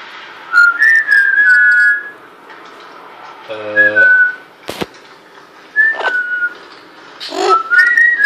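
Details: Indoor pet female parrot in Quebec, Canada, learning to whistle: clear whistled phrases repeated several times, each sliding slightly up then down, with a short human voice and clicks between them.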